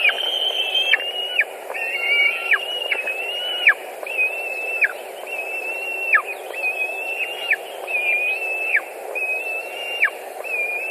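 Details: White-tailed eagles at a Latvian nest in June 2019, birds sharing and finishing a fish: a long sequence of thin, level whistled squeals, each ending in a sudden downward flick, spaced roughly every 0.7 seconds.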